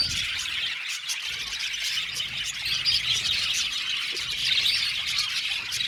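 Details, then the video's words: Budgerigars, a colony of 70 pairs housed in an aviary, chirping together: busy high-pitched twittering and rasping warbles from many birds, continuous throughout with slight swells in loudness. "Beautiful Budgies chirping sound"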